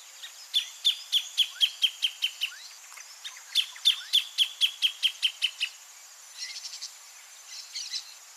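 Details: Greater thornbird (Phacellodomus ruber) singing near its nest in breeding season: two loud bursts of about ten sharp, evenly spaced chips, slightly falling in pitch, followed by fainter chattering notes.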